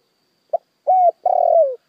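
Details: Partial lure phrase from a decoy spotted dove meant to provoke wild doves: a short soft note, a steady low coo, then a long rolling coo that slides downward.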